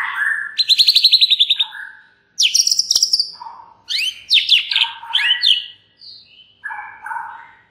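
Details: White-rumped shama song used to stir other shamas to sing: fast buzzy trills of rapidly repeated notes, high sweeping whistles, and lower warbled phrases in quick bursts separated by short pauses.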